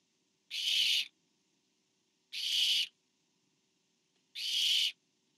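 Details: Barn owl parent delivering food to an owlet at the nest; three harsh, airy hissing screeches, each about half a second, separated by pauses of nearly two seconds.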